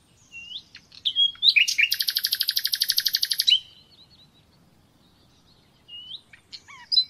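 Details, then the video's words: Common nightingale singing, used in an uninterrupted training lesson for caged birds: scattered whistles, then a loud buzzy stream of rapid repeated notes lasting about two seconds, followed by quiet gaps and short rising whistles. "Bülbül Sesi - Kesintisiz Ötüm Dersi ve Huylandırma -(Bulbul Song - Real Traning my record)"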